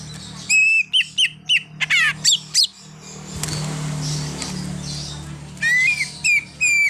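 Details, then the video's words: Leafbird mimicry in full flow from a greater green leafbird, known to copy a car horn. A run of short, evenly spaced bright whistles and rising sweeps, then a noisy pause, then more clipped whistled notes. "Cucak Ijo Full Isian_Ada Bunyi Klakson Mobilnya Juga"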